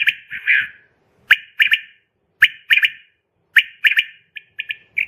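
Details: Female common quail uttering bright, clipped whistled notes grouped in threes at steady intervals of just over a second, ending with a run of quieter rapid notes.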